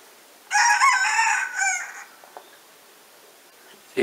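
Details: A small, hoarse rooster in Montcuq, Quercy Blanc, France, during lockdown (a bigger dominant rooster chases him off) gives one rasping crow of about 1.5 seconds, falling away at the end, then quiet and a brief knock.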